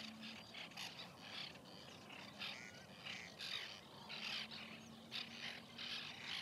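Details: In a 2021 nesting colony, white-winged terns keep up a chorus of rough, rasping notes in irregular bursts, with a faint low hum in the background.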